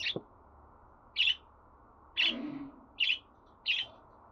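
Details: Budgerigar chirping: bright, short notes roughly once a second, with one chirp trailing into a brief lower sound.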